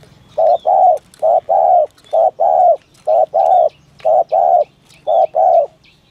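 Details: 'Thổ thúc gù' call of a spotted dove, recorded for trappers to lure doves: repeated low hollow coo pairs, a clipped note then a sustained one, six pairs in steady rhythm with faint high chirps.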